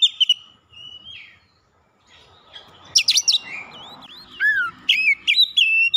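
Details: Oriental magpie-robin singing to provoke a rival, brief loud notes, a near-silent gap, then rich whistled phrases with upward and downward slurs and crisp repeated notes.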